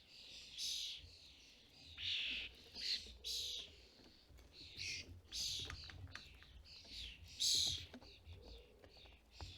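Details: Fledgling-season feeder scene in the UK with starling adults bringing food to young; irregular short raspy screeches and wheezes, some clustered, with soft clicks and faint background noise.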